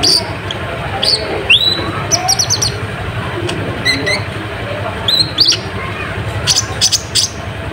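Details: Olive-backed sunbird (kolibri ninja, konin) singing as a lure to provoke rival birds: thin, high chirps and quick sharp upward and downward slurred notes in scattered bursts, over a steady low rumbling background.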